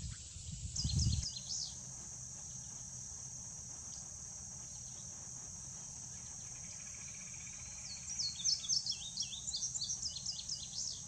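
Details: Male Indigo Bunting giving brief bursts of high, sweet slurred notes near the start and again toward the end, set against a loud continuous insect whine and soft low background noise.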